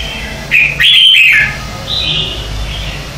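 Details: Red-whiskered bulbul contest song at morning, used as lure song for bird training: one loud, bright, bubbling phrase followed by a softer, drawn-out high whistle.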